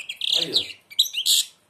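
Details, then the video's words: Blind European goldfinch singing with its beak almost closed: bright, twittering, chirpy phrases in quick bursts, with a man's voice urging it on in Arabic. "تغريد_الحسون أعمى سبحان الله يغرد ومنقاره شبه مغلوق"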